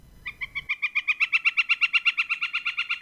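Northern Flicker giving a long, rapid run of loud, even wick notes, about eight or nine a second, swelling slightly; a brief low rumble before it starts.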